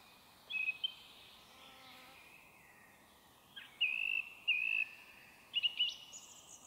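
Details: Evening forest song of a song thrush, early May 2023, made with an audio recorder with white noise reduced; clear whistled notes, one drawn-out whistle given twice in a row, with faint background bird calls.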